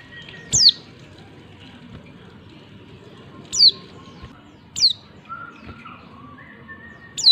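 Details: A female white-eye gives thin, very high, sharply falling calls, four in about seven seconds at uneven gaps, over faint lower whistled notes and soft hiss; these calls are used to provoke males into singing.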